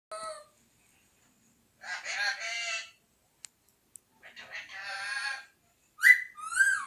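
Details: Pet talking parrot that says "mithu mithu radhey radhey" and whistles: a short voiced note, then two bursts of harsh, speech-like chatter, a couple of faint clicks, and finally a sharply rising whistle followed by a second upswept note.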